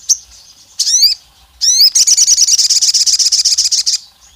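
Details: Olive-backed tailorbird female calling to the male, provoking rivals: two quick clusters of upward-sweeping squeaky notes, followed by a long, fast, shrill pulsed trill lasting about two seconds.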